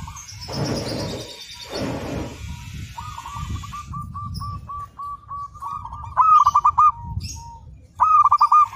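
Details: Local zebra dove used as a training master: two loud rasping noise bursts, then a long even string of quick clipped coos, ending in two loud rolled phrases.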